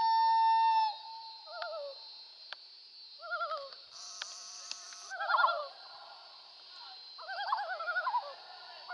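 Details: Wild common loons on Swains Lake on August 27, 2014, heard from a kayak while fishing. A long steady wailing note opens, then several short wavering, yodel-like phrases repeat, with a brief hissy burst in the middle.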